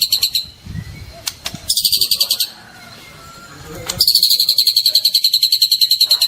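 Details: Trotol white-rumped shama, a juvenile, singing actively: short bursts of quick high trilling broken by clicks and a quiet gap, then a sustained rapid pulsed trill to the end.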